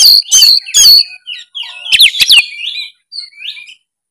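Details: Oriental magpie-robin in full 'narung' song, used to get lazy, silent magpie-robins singing: three loud rasping, harmonic bursts, then a run of sharp whistled slurs and shorter buzzy notes, each phrase changing.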